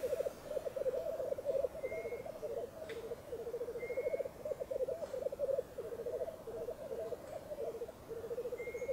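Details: Black grouse lek at dawn on a frosty, windless bog, with at least five or six blackcocks displaying. An unbroken low bubbling, cooing warble pulses steadily throughout, while brief high whistled notes from other birds appear now and then in the background.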